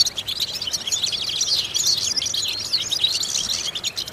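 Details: European goldfinch song used as a vocal exercise to stimulate goldfinches: a dense, fast run of high, bright twitters and chirps that continues without pause, with a faint hiss underneath.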